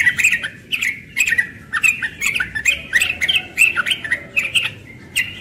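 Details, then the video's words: Rapid, unbroken ropel singing from a young yellow-vented bulbul in the morning, rich warbling notes bubbling without pause, several per second, mixed with crisp ticking clicks. "Trucukan muda ropel pagi"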